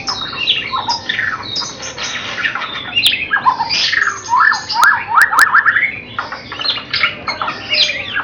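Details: Young white-rumped shama of Bahorok lineage in training before competition, delivering a loud, rich song of varied whistles, rapid rising sweeps and harsh chattering notes in continuous bursts, with a few sharp clicks.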